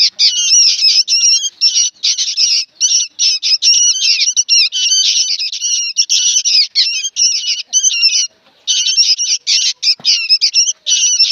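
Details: Noisy young sooty-headed bulbuls squawking almost nonstop: loud, harsh, buzzy bursts in fast succession, with one short lull after the middle.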